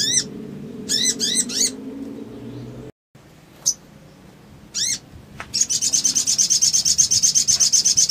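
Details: Crimson sunbird, male, in a ngriwik and trotol style lure recording meant to stir emotion: a run of high arched notes, a brief cut, scattered notes, then a rapid buzzy high trill to the end.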